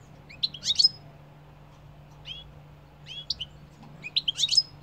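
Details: European goldfinch singing short bursts of bright, tinkling, twittered notes, with single chirps in between and a lively cluster at the end; a soft low hum runs underneath.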